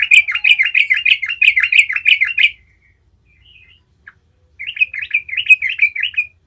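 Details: Trucukan (yellow-vented bulbul) singing energetically in rolling style as a lure for other bulbuls: about two and a half seconds of rapid rippling chatter, a quiet gap with one soft note, then another lively burst.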